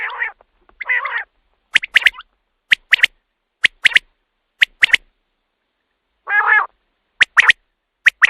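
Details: Common quail, a recording meant for night-time hunting lures: two nasal, wavering notes open, then crisp three-note phrases repeated about once a second, broken by another nasal note before the phrases return.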